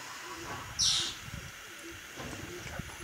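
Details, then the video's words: A male Green-and-rufous Kingfisher on a shaded riverbank in the Pantanal gives a single short, harsh, high-pitched note, with a faint low hum and quiet background sounds. "Green-and-rufous Kingfisher"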